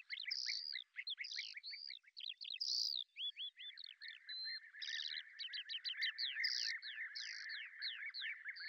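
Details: Lesser grey shrike, a beetle-hunting bird seen hovering, recorded in Azerbaijan: dense, continuous chatter of sharp chirps and quick repeated downslurred notes over a lower twittering layer.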